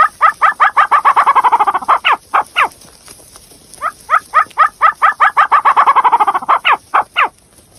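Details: Female chukar partridge giving two bursts of rapid, clucking chuck notes, each run speeding up then breaking into harsher upslurred chukar notes, over a faint steady hiss; used as a hunting call.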